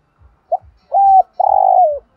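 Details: Spotted dove singing in the thổ đồng voice style with thúc gù cooing: a short clipped note, a flat sustained coo, then a longer buzzy coo that slides downward, over faint regular low ticking.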